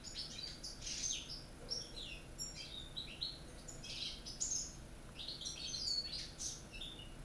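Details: Caged European goldfinches, a Corsican bird plus one from North Africa and a young one from Spain, singing the true Corsican song: dense, continuous high twittering with tinkling chirps and buzzy trills, a low hum underneath.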